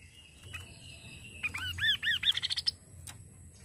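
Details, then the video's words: Kaso kaso bird sound played to stimulate the bird to sing: after faint background hiss, a quick series of arched, rising-then-falling whistled notes, about six in a second, climbing higher and speeding into short chirps before fading. "Suara burung Kaso kaso"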